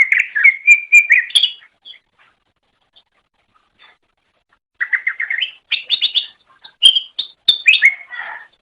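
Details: Greater green leafbird song for masteran training of pet birds: a burst of whistled notes, a pause of about three seconds, then quick trilled series and sharp high chips in varied phrases.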